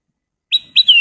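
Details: Golden-coloured sooty-headed bulbul in lively voice gives two short clear whistled notes, then a longer piping whistle that slides slightly downward, in a quiet setting.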